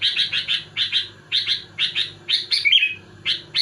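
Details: Sooty-headed bulbul challenging rivals with rapid paired chirpy notes repeated in quick bursts and one slurred whistle, a low mechanical hum underneath.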